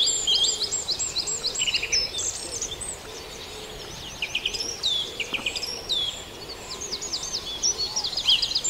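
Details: Farndale dawn chorus with many birds singing at once: rapid trilled runs, sharp downward-sweeping notes and scattered high whistles layered densely over a soft background hiss.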